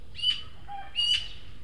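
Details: Juvenile Eurasian magpie at a feeder in the El Retiro garden plot, Madrid, one of three young birds, two of which beg food from the third; two harsh, grating squawks close together, with a soft lower note between them.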